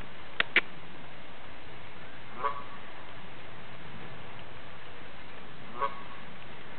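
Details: A tame female Canada goose, protected by its keeper, approaches to 'tell its woes': two brief nasal honks spaced about three seconds apart, preceded by two sharp clicks, over low steady hum.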